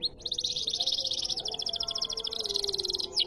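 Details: Canary singing in the riwikan style: a fast, continuous high trill of rapidly repeated bright notes, sustained almost without a break for several seconds, over a low steady background hum.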